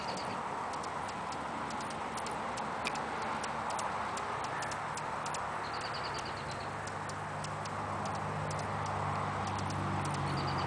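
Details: Dry, rapid ticking chips from a wild ruby-throated hummingbird feeding at a flowering currant bush out front, a few each second, with short high buzzy bursts, while a white cat hides beneath watching; low engine-like hum rises behind.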